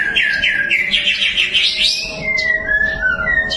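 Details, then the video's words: Prize-winning white-rumped shama delivers a rich, rapid, rising warble of tumbling notes. It then shifts to clear drawn-out whistles that slide gently downward, with soft background hum. "perdana murai prestasi tenbakan mewah"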